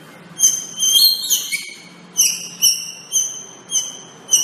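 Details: White-rumped shama master recording: very high, thin whistled notes with ringing overtones, first in a quick tumbling cluster, then single short pure whistles repeated about every half second.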